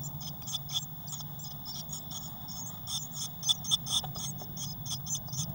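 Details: Six Eurasian blue tit nestlings in a nest box, 22 May 2019, some wing flapping; rapid shrill squeaking in short clumps, with a few sharper louder peeps near the end, above a low humming background.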